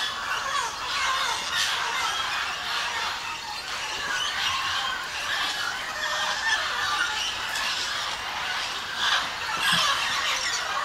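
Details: Parrots gathered at a clay lick at Napo Wildlife Center, Ecuador, where three species came down to feed: a continuous dense chorus of overlapping harsh squawks and shrill screeches from many birds, with no pauses.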